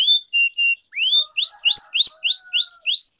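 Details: Canary in song training, opening with clear level whistles and a rising note, then a steady series of rising buzzy slurs repeated about three times a second, faint low tones beneath.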